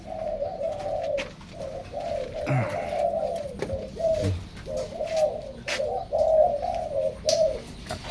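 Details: Many captive zebra dove pairs housed indoors make near-continuous gentle, warbling coos, short rolling phrases tumbling one after another, with a few clicks and a brief human sound in the middle.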